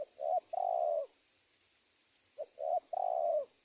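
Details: Trapping lure of a spotted dove calling to wild doves: two phrases, each a brief coo, a short coo and a long falling coo, separated by a pause of over a second, over faint steady hiss.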